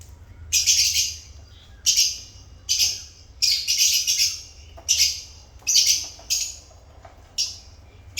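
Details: African lovebirds kept as pets giving a steady run of loud, harsh, high chirps in bursts roughly every second, with a low hum underneath.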